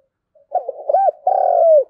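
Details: One full thúc gù phrase from a spotted dove in thổ đồng voice, a lure for wild doves: quick rising hoots, an arched note, then a long burry coo sliding gently downward.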